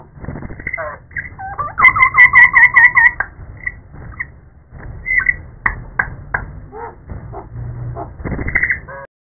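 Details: An untrained pet common myna gives a quick burst of about seven harsh, harmonic squawks, then scattered chirps, clicks and whistled notes, heard indoors.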